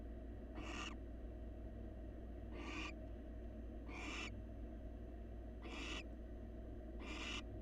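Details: Wild male barn owl in a nest box grooming his mate and offering her a meal; five harsh, broadband hissing screeches spaced one to two seconds apart above a constant low electrical hum.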